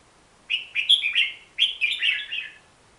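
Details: Hook-billed bulbul, endemic to Borneo, giving two quick phrases of rich, downslurred whistled warbles, each of three to five notes, in three seconds.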